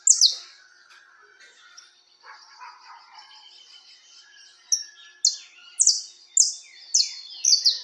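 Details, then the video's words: Diferenciado song of a Peruvian canary: a soft, warbling, twittering passage leads into a series of loud, high, downward-sweeping notes, each about half a second apart. "diferenciado o canario peruano"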